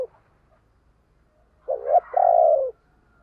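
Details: Decoy spotted dove used to prompt other doves to call: after a quiet stretch with a faint low rumble, one phrase of a short coo followed by a longer, level, falling coo.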